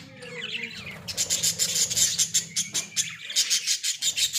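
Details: Pet Australian budgies in a small cage: soft warbling at first, then a rapid run of sharp, high chirps and squawks repeated several times a second, with a low hum fading out midway.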